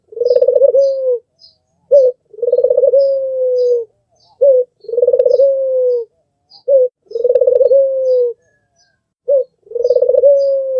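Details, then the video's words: Red-eyed albino Barbary dove, white, used as a master bird for training, giving a melodious call: about five phrases, each a short clipped coo followed by a rolling, pulsing coo that smooths into a long, slightly falling note. Background quiet. "SUARA BURUNG PUTER MERDU"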